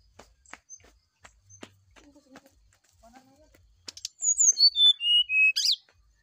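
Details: Faint ticks and soft low notes lead into a brown-chested jungle flycatcher's morning song, used to draw a reply: loud, pure whistles falling in steps, closed by a sharp buzzy note.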